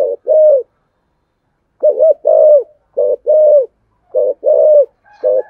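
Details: Spotted dove with the deep 'thổ sấm' voice, full song with a double ending: loud hollow coos in quick pairs, a clipped note then a long even tone, about every second.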